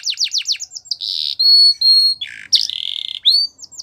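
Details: Belgian canary singing a training song for young canaries: fast downstroke chirps, a buzzy burst, two long clear whistles, a harsh rattle, then a low buzzy trill and rising whistled notes.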